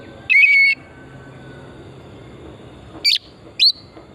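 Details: Oriental magpie-robin, used as a lure to stimulate singing, from pristine forest: a level whistled note near the start, then two short sharp upslurred whistles about half a second apart after a pause.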